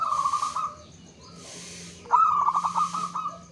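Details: Lure song of a local zebra dove, meant to prompt other doves to sing. A pulsed coo fades out, and after a pause a louder phrase starts with a sharp onset and ripples into rapid beats, with breathy noise bursts throughout.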